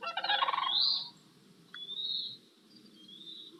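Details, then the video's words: Sandhill Crane, a large brown-gray bird audible for miles, gives a loud, resonant rolling bugle for about a second, followed by thin high whistled notes, probably from another bird; recorded in Montana. "sandhill crane audible for miles the resonant rolling bugle of sandhill crane will remind you of dinosaurs and days past"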